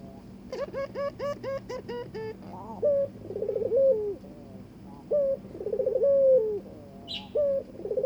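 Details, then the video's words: Paired Barbary dove courting its mate: a quick series of short hooked overtone-rich notes opens, then three coos follow, each with a short note, a quivering roll and a falling tail. "burung puter ngajak kawin"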